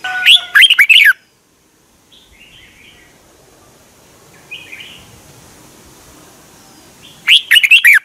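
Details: Red-whiskered bulbul song from Thailand, used to stimulate caged birds. Loud warbled phrases of rising and falling notes open and close the passage. The quiet gap between them holds a few faint, distant chirps.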